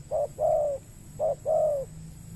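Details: Wild spotted dove in Riau Islands, Indonesia, peatland, answering a lure during trapping, keen but hesitant to fight; two crisp short-long coo pairs about a second apart, the long notes smooth and slightly descending.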